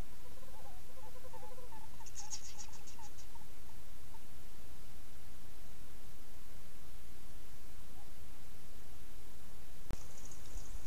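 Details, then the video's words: Western screech owls calling during copulation, recorded by trail camera in the Sonoran Desert near Tucson; a short low trill, then a quick run of soft notes over about two seconds, with buzzy insect chirps and a sharp click near the end. "Western screech owl copulation"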